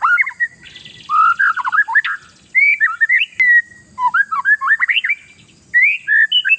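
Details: Oriental magpie-robin (kacer) in full song, played to make rival birds panic: loud varied whistled phrases swooping and rising, delivered in bursts separated by short pauses, over a steady high-pitched hiss.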